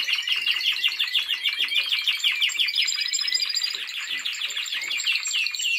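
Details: Caged Timbrado Español canary in song training, 2023: fast metallic rolls of repeated notes, several per second, shifting midway into a higher, tighter trill before returning to broader rolling phrases.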